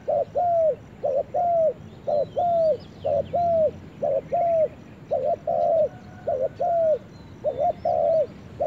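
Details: Spotted dove, brought to a forest, coos in a long regular series: each phrase a quick stuttered double note followed by a sustained, softly falling coo, about ten phrases, with faint high bird chirps in the background.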